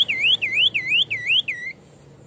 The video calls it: Tepus dada putih gacor